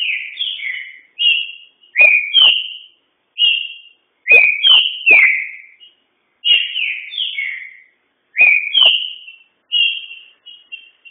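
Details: Green-winged saltator kept as a song bird delivers a rapid run of loud, clear whistles, sharp clicks leading into slurred two-note phrases, repeated about every second with short silences.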